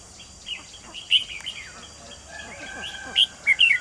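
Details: Decoy red-whiskered bulbul luring wild birds into a trap, 28 June 2020, singing clear whistled chirps that build into a rapid cluster of bright slurred notes near the end.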